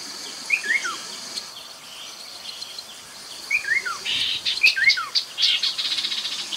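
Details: Lure recording of a Chestnut-capped babbler beside the Mekong, Nakhon Phanom, Thailand, 2021: three downward-sliding whistled phrases spaced a few seconds apart, mixed with bursts of buzzy chattering toward the end, over faint insect hum.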